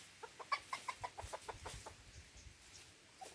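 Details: Red junglefowl from Aceh, recorded during decoy trapping at Lamteuba, giving a rapid series of about ten short clucking notes that quicken and fade over three seconds, over steady outdoor hiss.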